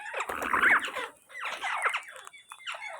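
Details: Indian ringneck parakeets recorded on 19 January 2024: harsh, raspy screeching calls in two loud bursts, followed by softer scratchy notes.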